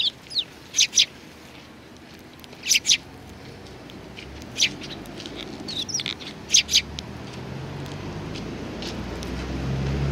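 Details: Eurasian tree sparrows feeding together at a Tenmangu shrine, 19 April 2019; brief high chirps come singly and in pairs with gaps of a second or more, while a low rumble swells toward the end.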